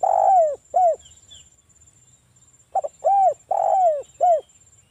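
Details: Lure song of a local spotted dove in the wild 'ngalas' voice, aimed at making other doves answer: the end of a phrase with a long falling coo and an arched coo, a two-second pause, then a complete low, mellow four-part phrase.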